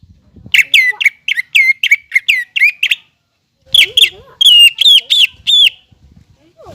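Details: Greater green leafbird, a 'gacor' tutor bird for untrained birds: two phrases of loud, evenly spaced, curved whistled notes, about four per second, separated by a clear pause, with soft lower warbles.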